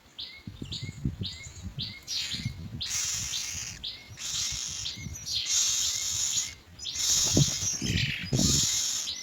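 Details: Myna young waiting in the nest as the parents bring white pellets of food, giving harsh, hissing, high-pitched begging bursts in irregular runs, with low rustling and thumping sounds beneath.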